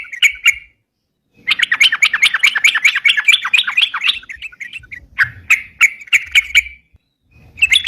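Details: Sooty-headed bulbul singing gacor, ropalan style, for luring wild birds: a brief opening phrase, a silent gap, then a long dense rattle of quick chirping notes thinning into spaced, separate chirps.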